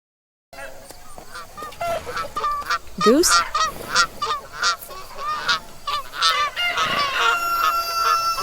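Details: Goose honking in a series of nasal, harmonic honks, repeated irregularly about three times a second, with music playing underneath.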